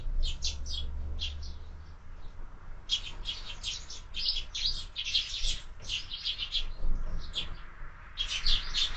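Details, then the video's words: Flock of sparrows at a morning window feeder: a few spaced chirps, then a long lively stretch of rapid, overlapping high chirps and twitters, with a brief low hum early on. "Воробьи в кормушке - Утро"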